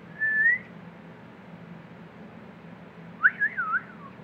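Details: A newly acquired pet budgerigar gives one short, level whistled note, then after a pause a quick warbling burst of three or four chirps, over a low room hum.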